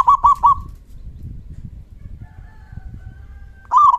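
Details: Local zebra dove with a big voice calling to draw answers from other doves: the tail of a stuttering coo phrase, a faint thin tone through a quiet gap, then another rolling phrase beginning.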